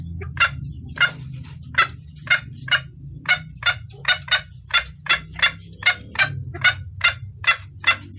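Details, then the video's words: Red junglefowl hen calling a male, a clear call used to lure cocks. Crisp clucking notes repeat fast, over two per second, fairly evenly through the passage, against a low humming background. "Suara ayam hutan betina gacor pangil pejantan"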